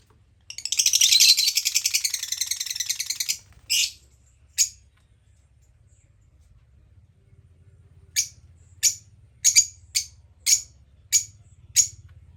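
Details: Lovebird giving a dense, rapid burst of shrill high-pitched chirps lasting about three seconds. Two short sharp chirps follow, then a pause, then a series of separate squeaky chirps about every half second, over a faint low hum.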